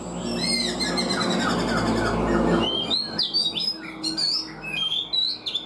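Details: Caged black-throated laughingthrush, four months in the cage, giving a quick run of bright, varied whistles and chattering notes with sharp up-and-down sweeps, over a muffled rumble in the first half.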